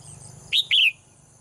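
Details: Caged female bird that sings every morning, giving two quick bright chirps, the second longer and sliding downward, over a steady thin high whine in the background.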